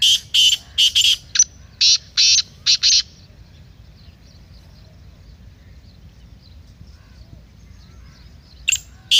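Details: Black francolin recorded to excite a kept bird into calling: a fast burst of about nine harsh, scratchy notes over three seconds, then a long pause before the rasping notes start again.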